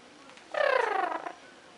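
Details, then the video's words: Green-cheeked amazon parrot producing a single loud, rough squawk, under a second long, with stacked harmonics sliding gently downward, against a faint background hiss. "Green Cheek Amazon Parrot"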